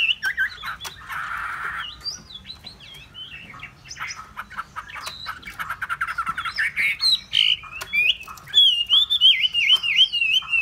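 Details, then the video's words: Hwamei pouring out a long varied song, opening with harsh buzzy notes, moving into fast chattering, and ending with loud clear whistles that wave up and down in quick succession. "họa mi"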